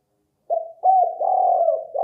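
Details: Spotted dove lure call: a short, burry phrase of connected coos with a roughened middle section, delivered in just over a second and a half.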